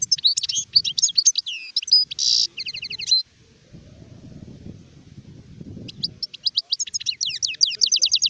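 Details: A mature European goldfinch, called a sharef, sings in 2019 recording: dense liquid twittering and a buzzy rasp, a pause filled with low background rumble, then quick rhythmic chirping trills resume.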